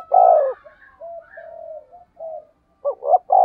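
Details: Spotted dove in the 'thổ sấm' thunder-voice style used to lure other doves: one loud long coo, then quiet wavering low notes, ending with two quick hooked notes and the start of another coo.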